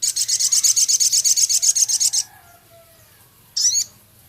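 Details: Male Javan cochoa singing minivet-style typing notes: a rapid, steady string of high ticks lasting two seconds, followed after a pause by one harsh, down-slurred chattering phrase.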